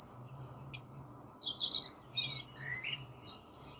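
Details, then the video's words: Rosella giving a varied run of short, high chirps and whistled notes, some rising and some falling, over a faint low hum. "Different Rosella Bird Sounds"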